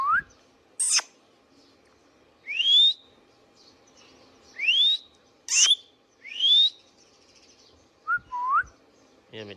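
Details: Captive Indian ringneck parakeet whistling: rising swept notes spaced a second or two apart, mixed with brief sharp clicks and a pair of lower, falling whistles near the end.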